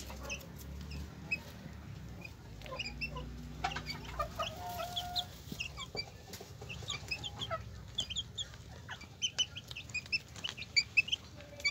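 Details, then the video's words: Hen with her chicks: scattered high, short chick peeps over low background hum, with a few faint lower clucking notes from the hen. "Gallina con sus Pollitos"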